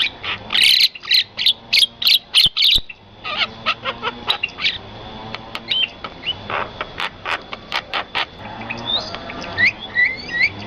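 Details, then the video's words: Bird singing beside rice fields: fast bursts of sharp chirps, then scattered clicky notes and short whistled phrases with brief upward slurs near the end. "suara burung dan pemandangan sawah"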